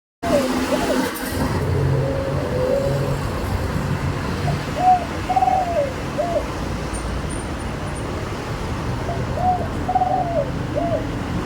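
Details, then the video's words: Spotted dove cooing in the Thai 'khan yon' style with a single 'kuk' note, medium-pitched and sweet-toned: two soft hooting three-part phrases, the second about four seconds after the first, over a steady low rumble. "นกเขาใหญ่ เสียงกลาง ขันโยน ช่องไฟสวยๆ"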